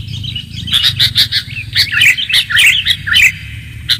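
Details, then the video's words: Sooty-headed bulbul calling to lure others in: busy bubbling chirps and short rising and falling whistled notes packed closely together, with low background rumble. "pikat kutilang suara jernih anti zonx"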